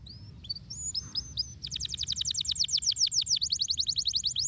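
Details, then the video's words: Canary stimulating song used to set silent canaries singing: soft, scattered high chirps lead into a loud, fast, even trill of down-slurred notes. "Bel canarino! la sua voce rende il canarino silenzioso immediatamente twitter"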